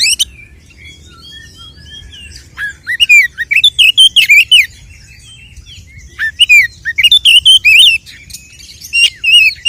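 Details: Kacer, the oriental magpie-robin, sings a lure meant to provoke fighting and tail-opening. It is a long, varied, fast medley of high chirps, slurred whistles and chattering notes, broken by short pauses.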